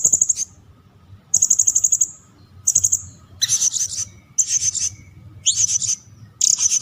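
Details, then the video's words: Cililin song used as masteran training audio for competition birds: repeated short, very high, rattling ticked phrases, some with upward-sweeping notes, every second or so over low steady hum. "CILILIN VS SERINDIT - Masteran Tembakan Tajam Panjang Mematikan"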